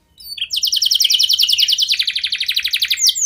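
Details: Lure song from a chirpy canary, intended to set other canaries singing: a rapid stream of high, evenly repeated chirping notes shifting into a slightly lower fast trill.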